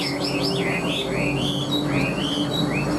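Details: Caged Chinese hwamei giving smooth, sliding whistled notes that swoop up and down in a continuous ribbon of song, over a steady hum of background music.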